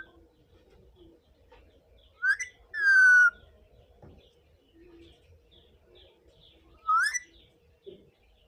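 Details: Indian ringneck parakeet produces clear, rising whistled notes: a short upswept whistle, a longer steady tone, then another rising whistle after a pause, over low background hum.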